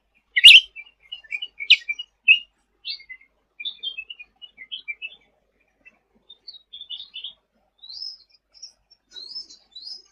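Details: Sooty-headed bulbul singing 'gacor' style as masteran training audio: a loud opening chirp, then a string of softer twittering notes that rise in pitch toward the end, with no other sounds.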